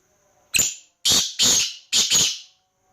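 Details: Black francolin calling: one short sharp note, then two pairs of harsh, rasping, broadband notes over about two seconds. The background is quiet, with no other sounds.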